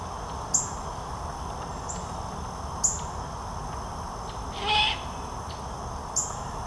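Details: A young great horned owl at Fenner Nature Center in Lansing, Michigan, in 2021. Now full-sized, it still calls for its parents to feed it. One hoarse, rasping screech sounds near the middle, and sharp clicks recur every few seconds.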